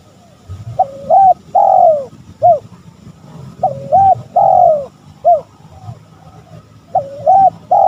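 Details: Spotted dove lure call aimed at rivals. Repeated three-part phrases: a wavering double coo, a long falling coo, then a short clipped note. The pattern repeats about every three seconds with a soft low hum behind.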